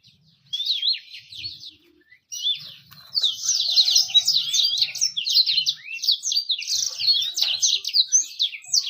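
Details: Birdsong used to attract females and prompt quick singing: a short warbled phrase, a pause, then a long continuous run of busy high twittering and rapid rising and falling chirps.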